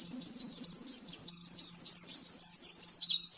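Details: Rapid 'nembak' master song of the oriental white-eye for training caged birds: dense, high, sparkling chirps and short sweeping notes tumbling together, with a soft low hum underneath.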